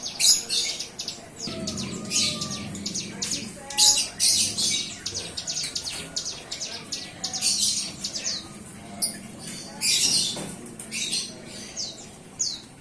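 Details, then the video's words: Hand-fed young bar-winged prinia beginning to sing, giving bursts of high, sharp clicking chirps and buzzy notes in irregular clusters, pausing between bouts; a faint low hum runs underneath. "Cigun muda lepas loloh buka suara"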